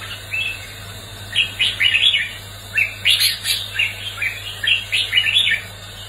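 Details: Red-whiskered bulbul giving a competitive fighting song for training bulbuls' voices. Rapid runs of sharp, chirpy, slurred notes come in quick clusters, with a continuous low hum beneath.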